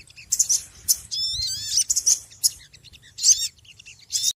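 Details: Small noisy birds chattering: dense, sharp high chirps and harsh bursts interrupted by a descending series of thin, wavering whistles, busy and fast throughout with faint low rumble behind.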